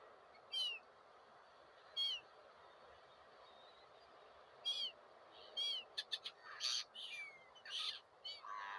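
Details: Several gulls give short, strident squealing calls, first spaced apart, then crowding together in a quick overlapping burst of sharp cries and rougher notes over constant low hiss.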